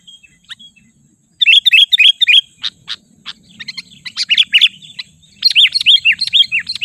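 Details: Lure recording of Sooty-headed bulbul used to call wild birds and to tutor others. A brief faint note comes first, then after a silence bursts of quick high chirps and downslurred whistles in irregular clusters.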